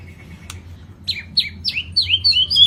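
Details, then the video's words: White-rumped shama, Lampung type, in full 'isian komplit' song: after a faint opening note and a click, a run of six clear downslurred whistles that climb steadily higher and grow louder. "SUARA BURUNG MURAI BATU LAMPUNG ISIAN KOMPLIT GACOR"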